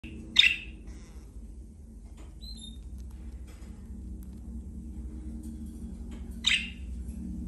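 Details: A pet cockatiel (Nymphicus hollandicus) gives two shrill, harsh screeching calls several seconds apart over a low indoor hum.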